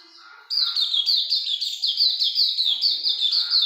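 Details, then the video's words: Lively white-eye song from Hume's white-eye: a sudden loud start, then an even, rapid series of bright, high, falling chirps repeated without pause. "Pleci Auriventer gacor ngalas longgun"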